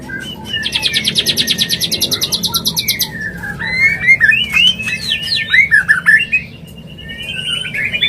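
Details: White-rumped shama mating call intended to bring a bird into breeding condition: a rapid high trill repeated for about two seconds, then loud varied whistles and clicking phrases, ending with a steady soft whistle.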